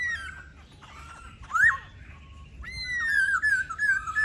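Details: Singing laughingthrush: a few scattered whistles, then a quick rising slur, followed by a long, bright, wavering whistled phrase that speeds into rapid trills toward the end.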